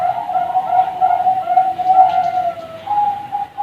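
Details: Young zebra doves of the Bangkok strain, kept at a bird farm, produce a near-continuous low, purring coo with slight wavering, dipping briefly before a final steadier note.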